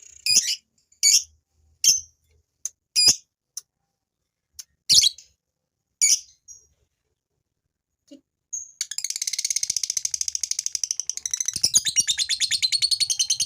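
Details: Male fighter lovebird giving sharp, separate high chirps for about eight seconds, then breaking into a long, fast, buzzy ngekek chatter of rapidly repeated notes, a call meant to stir females into chattering too.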